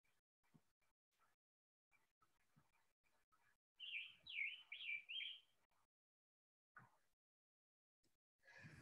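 A Scarlet Tanager sings a quick run of about six hoarse, burry notes, like a robin with a sore throat. Faint clicks come before it and a brief rustle after.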